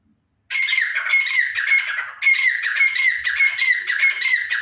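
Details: Black francolin released from a large cage, giving loud harsh squawking calls in two long raspy bursts with a steady high tone, continuous and grating, after a brief silence.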